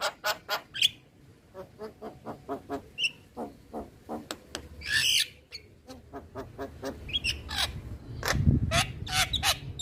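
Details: Male Javan myna recorded in natural surroundings, a rapid irregular series of harsh clicks and short squawky notes, a raspy broadband burst midway, and denser chattering toward the end over a low background rumble.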